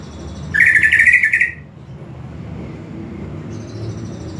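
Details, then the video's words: Greater green leafbird song played as training audio: one burst of rapid buzzy chirps lasting about a second, then low background hum. "KICAUAN CUCAK IJO SAAT DIMASTER AUDIO"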